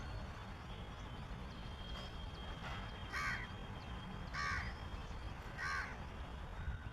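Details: A crow gives three harsh, nasal caws about a second and a half apart, possibly signalling a nearby preening shikra, over steady low rumbling background noise.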